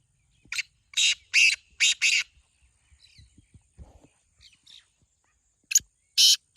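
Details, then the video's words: Black francolin call: a phrase of five harsh, scratchy notes, then a lull with faint knocks and soft sounds, ending with two more loud rasping notes. "Black Teetar Voice/Kala Teetar ki awaz"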